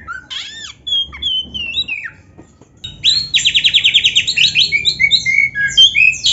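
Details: Oriental magpie-robin in full song packed with canary-style phrases: slurred whistles and short downswept notes, a brief pause, then a fast buzzy rolling trill of many pulses followed by varied chirps and whistles, over a faint low hum.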